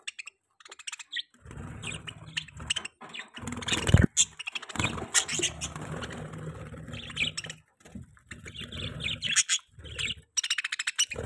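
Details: Pet budgerigars chirping at morning breakfast time: scratchy, broadband chatter and short tweets in bursts, over a steady low hum and intermittent clattering.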